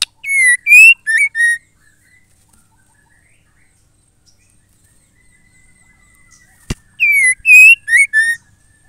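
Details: Calling female white-rumped shama, used to get males singing: a phrase of four ringing whistled notes, a long pause, a sharp click, then the same four-note phrase again.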